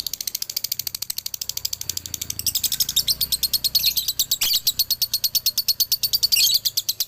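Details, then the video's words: Galendo Ciamis male lovebird in full dobelan: a prolonged, fast, even ticking of high shrill chirps, intensifying into louder, denser stretches through the second half. "SUARA ASLI DOBELAN LOVEBIRD JANTAN"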